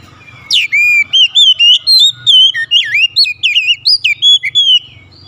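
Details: Oriental magpie-robin song: a rapid run of loud, clear whistled notes, rising and falling slurs and short sweeps strung together for about four seconds, sweet and varied.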